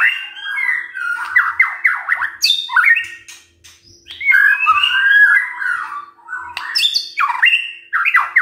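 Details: White-rumped shama singing in the morning to provoke silent birds to answer: a loud, varied run of whistled and buzzy phrases. The notes sweep up and down, with short harsh squawks between them and brief pauses near the middle.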